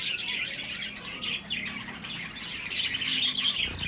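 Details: Several finches at a breeding setup chatter in rapid, high tweets, many notes a second, swelling louder toward the end with a low thump at the close.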